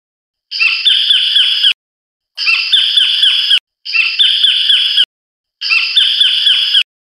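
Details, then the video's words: Collared kingfishers mating give harsh, grating rattles of quick repeated notes, four bursts of about a second each, separated by short silent pauses. "白領翡翠-交配/Collared Kingfisher-Mating"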